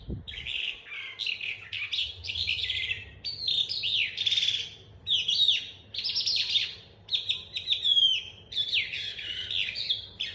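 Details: Young captive calandra lark being tutored, practising its rolling song: a continuous run of high, scratchy chirps and quick bright whistled notes, with short pauses between bursts over ten seconds, against a quiet background.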